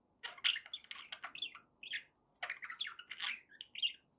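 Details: Budgies chirping and squawking softly for pet bird company, short raspy and squeaky notes in two runs split by a brief pause, over faint background hiss.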